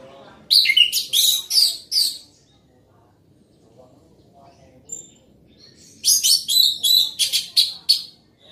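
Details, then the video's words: Loud singing from an orange-headed thrush: two dense bursts of rapid, harsh, chattering and whistled notes, separated by a few seconds of near silence with faint low background noise. "Anis merah gacor volume keras"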